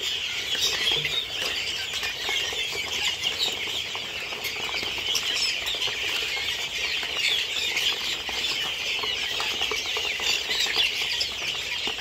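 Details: A farm flock of helmeted guinea fowl, among them chicks and birds aged one to two months, keeps up a nonstop harsh, buzzy chatter, many voices calling over one another without a break.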